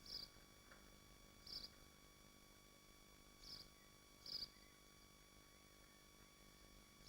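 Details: Nesting swifts in Machynlleth, Dyfi Biosphere: short sharp high chirps about every second or two, five in seven seconds, unevenly spaced, with a faint constant hum behind.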